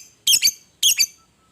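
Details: Fighting lovebird used as a provoking call: two shrill, piercing double-noted squawks about half a second apart, each with a quick stutter in the middle, then quiet.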